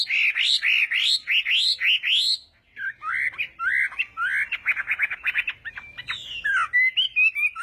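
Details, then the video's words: Chinese hwamei singing in a morning practice session for duelling song: a rapid run of loud rising whistled slurs, then a varied chatter of quick notes and bright whistles. "Hoạ Mi Hót Đấu /hoạ mi hót sáng luyện giọng kich bổi sổ giọng chim hót hay mỗi ngày/"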